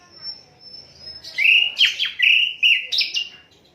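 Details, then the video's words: Asian brown flycatcher, unedited and meant for tutoring songbirds. A thin high whistle is held at first. Then come five loud, fast phrases of ringing whistles with sharp up-and-down sweeps, about two per second. "Sikatan londo durasi 15 menit, Reall No editan, cocok buat masteran semua burung"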